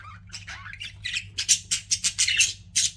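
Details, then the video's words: Indoor pet budgies in a rapid run of sharp, scratchy chirps and squeaks, about a dozen quick notes packed closely together, rising in loudness toward the end, with a faint low hum underneath. "CUTE PET BUDGIES CHIRPING"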